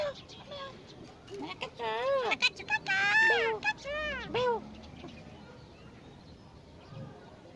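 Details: Jungle myna copying human talk. A burst of rich, voice-like arched syllables comes in quick succession over about three seconds, then fades to quiet background with faint ticking.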